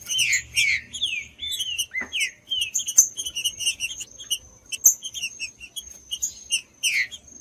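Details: Green-winged saltator song used to warm up other saltators: varied whistled and slurred phrases, some sweeping down, others short and clipped, with a steady high thin tone running underneath.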